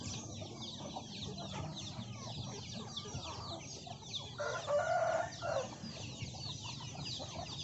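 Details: Hens with many chicks feeding on young rice put out by farmers; continuous high descending chick peeps, several per second, and near the middle a louder, harmonic hen call lasting about a second.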